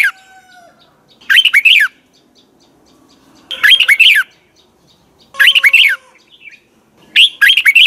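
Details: Red-whiskered bulbul, double twisted voice, practising morning song: four short bursts of swooping, warbled notes about two seconds apart, with faint steady tones underneath between some phrases.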